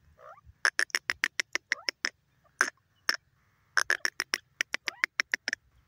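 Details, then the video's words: A francolin gives two rapid series of sharp, rasping clicks separated by a short pause, each note short and explosive, with a few faint squeaky notes in between; quiet otherwise. "teetar bird top sound francolin awaz"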